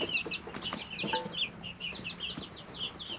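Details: Three-week-old domestic chicks in a brooder, recorded with natural audio: a dense chorus of high, short downslurred peeps overlapping continuously, with soft scratching and shuffling below.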